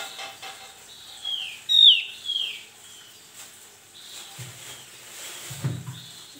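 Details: Male Javan heleia singing after being provoked by a rival, giving a short run of high descending whistled slurs, one sharp loud note in the middle, followed by softer chirps and faint low rustling.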